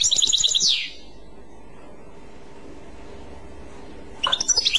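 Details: European goldfinch giving its clochette-style song: a fast high trill of repeated notes that ends in a downslurred twitter, then a quiet pause, then another high trill burst near the end.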